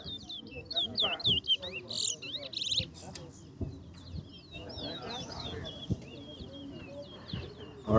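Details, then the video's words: Chestnut-bellied seed finch, or towa towa, at a bragging-rights singing contest: a fast string of looping whistled phrases broken by one buzzy rattle, then thinner repeated slurs, with crowd murmur and a man counting numbers. "TOWA TOWA BIRD SINGING COMPETITION"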